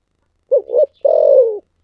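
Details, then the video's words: Single thổ sấm style song phrase of a spotted dove: two quick mellow coos followed by a sustained, slightly falling hoot, clean with no background. "cu gáy giọng thổ sấm"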